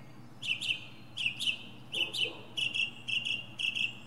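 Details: Northern mockingbird on a pine treetop running through its repertoire: a sharp chirp repeated in quick doubled pairs, about a dozen notes in four seconds, bright and clipped, with a low background hum.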